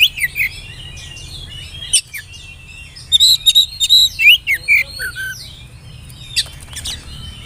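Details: Oriental magpie-robin, spotted young-plumage form (kacer trotol), whistled lure song for getting young birds to sing: varied chirps and slurred whistles, a rapid string of about a dozen clipped notes midway, then descending tones and a final sharp burst.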